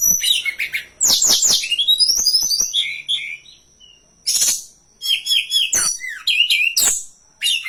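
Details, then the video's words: Lure and tutor song of the hill blue flycatcher for training birds: long energetic warbling of quick chirps, rising and falling whistles and scratchy bursts in several phrases, with short gaps and a thin constant high tone behind. "Masteran dan Pancingan burung Tledekan gunung paling ampuh dan fenomenal"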